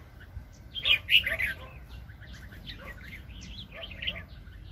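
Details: Red-whiskered bulbul, a very aggressive trapping decoy, 2020: one brief, bright burst of slurred whistles near the start, then softer scattered chirps trailing off against a low background hum.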